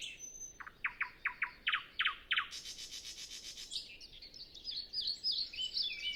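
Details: Nightingale song at dawn before sunrise, no wind, other birds silent: a row of about eight loud, evenly spaced clicking notes, then a harsh buzzing trill and a rapid high twittering. Captured with a Zoom F6 and Sennheiser MKH 8040 microphone.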